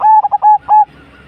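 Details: Perkutut jawa, the Javanese zebra dove, delivering a brisk phrase of soft coos, short clipped notes broken by two longer sustained tones, then quiet low background noise.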